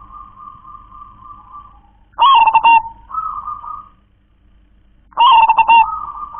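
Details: Zebra dove of local wild stock with the 'kong klar-ke-tek-kong' song: steady drawn-out cooing interrupted twice by loud, rapid stuttered phrases of clicks and rolling coos, about three seconds apart.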